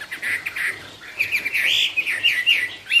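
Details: Bright Chinese hwamei song in 'cao cầu' style: two steady whistles, a brief pause, then quick rich warbles and high sharp notes in rapid sequence.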